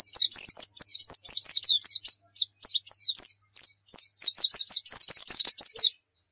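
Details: White-eye singing in the rapid 'nembak' style, recorded as training material and as a lure to draw other birds: fast runs of sharp, high, down-slurred whistled notes, repeated in quick bursts with short gaps, against a clean, quiet background.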